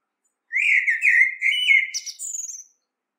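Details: Common blackbird delivering one long, rich fluted warble that rises slightly midway, closing with a thin, high squeaky flourish; quiet background.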